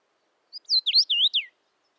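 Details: Common rosefinch singing one brief whistled phrase of five quick notes that swoop up and down, the last dropping away, in otherwise silent surroundings.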